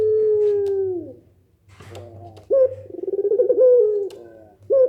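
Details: Tail of a long drawn coo from a Barbary dove fading out, a short pause with faint low hum, then a fresh pelung call: sharp onset note, rolling pulses and a held falling tone. This call is said to make other doves respond.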